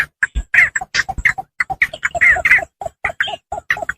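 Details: Lure recording of Javan pond heron, used to attract the birds when hunting. Short, harsh, nasal squawks follow one another almost without pause, with some raspier notes among them.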